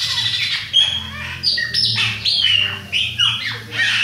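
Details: Chopi blackbird of the Bahia variety, one of a pair with a young bird, singing rapid slurred whistles and squeaky notes roughly every half second over a steady low hum.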